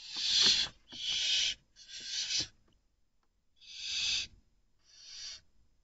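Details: Barn owl chick, one of two, defending itself against an intruding unrelated female while its mother is out hunting, giving loud harsh rasping hisses about a second long in an irregular series with short silent gaps.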